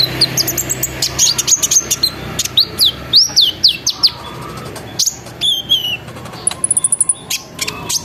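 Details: Lively sunbird song played as a lure so that other sunbirds join in: rapid high twittering with repeated arched whistles, thin buzzy trills and a closing burst of quick ticks.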